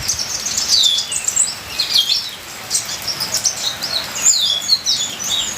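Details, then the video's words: Song of the ninja sunbird over falling rain, a dense run of very high, sharp twittering notes and quick slurred chirps, nearly continuous, with a constant rainy hiss beneath. "Terapi Suara Kolibri ninja full isian"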